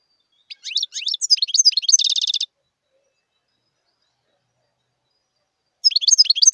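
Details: Wild European goldfinch song: a lively jumble of high twittering, up-slurred notes flowing into a dry, rapid trill, followed by a long silence and then a second twittering phrase starting.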